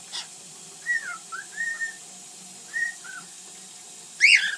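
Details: Pet bird from 2010 that likes to sing and make funny noises, giving short whistled slurs separated by pauses, often a high note sliding down, and ending with a sudden louder harsh squawk.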